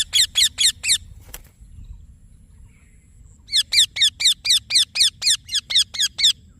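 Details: Shrill chirps from a green Indian ringneck parakeet: a fast run of four notes, a pause of about two seconds, then a steady series of about twelve evenly spaced sharp notes.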